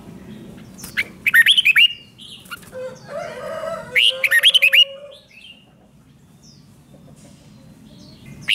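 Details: Caged red-whiskered bulbul song used to stir up other birds: two bursts of rapid slurred whistled notes, each about a second long, with softer warbling between and a low steady hum underneath.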